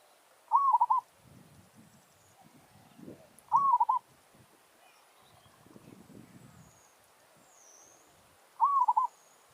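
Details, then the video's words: Zebra dove from a village, used to lure and challenge wild doves, repeats a short rising coo with a trilled, stuttering finish. Three phrases are heard with faint low rustles between them. "Merbok kampung - Anggar buat hal"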